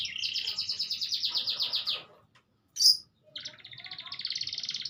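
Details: Canary singing fast buzzy rolling trills, one long trill, a brief sharp chirp after a short pause, then another rapid trill; faint low background hum.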